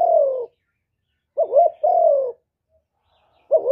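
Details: Spotted dove singing its hạp bổi-style full song of calls, urging and coos, recorded live without noise: the tail of a long falling coo, one complete two-part phrase, then the start of another, all low and mellow.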